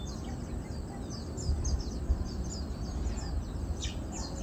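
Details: Feeding chestnut munias, 7 August 2022, give a busy stream of faint, high-pitched chirps and brief descending notes, with a few sharper tweets near the end, set against constant low environmental noise and occasional soft thumps.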